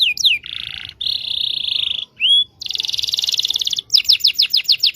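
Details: Varied canary song played to young canaries learning to sing: a downslur, two buzzy trills, a rising whistle, another buzzy roll, then repeated sweeping notes.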